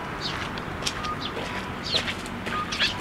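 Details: Sparrows flocking to a plum tree at a Tenmangu shrine, 12 May 2023, to receive food: sharp, high chirps and short twittering notes come in quick succession over soft background hum.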